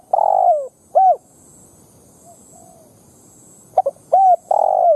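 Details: Low hoarse cooing of a spotted dove lure used to provoke wild doves to fight: a long falling coo and an arched note, a quiet gap, then stuttered notes and another long coo.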